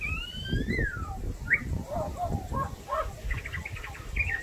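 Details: Female Australian magpie, a skilled mimic of dogs, kookaburras, black-cockatoos and small birds, sings: a smooth whistled slide rising and falling, then short chirps and a run of rapid high ticking notes, over soft low thumping.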